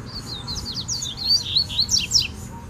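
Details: Wild double-collared seedeater singing in the bush to defend its territory against rivals: a fast run of high, sweeping, slurred whistles and twittering notes over a steady low rumble.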